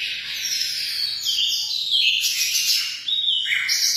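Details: Emprit (munia) song: a steady run of bright, high chirps and short whistled notes with quick pitch jumps, continuing without a break.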